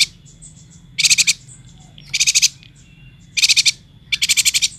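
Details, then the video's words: Yuhina, a bird endemic to Kalimantan, singing actively: four bursts of rapid, high buzzy chattering, each of about six quick pulses, spaced roughly a second apart over a faint steady high tone. "Suara burung yuhina gacor"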